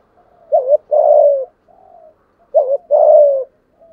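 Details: 'Thổ'-voiced spotted dove calling wild doves in to fight: twice a sharp doubled note leads into a long, rich, slightly falling coo, with a soft quiet coo between the phrases and at the end.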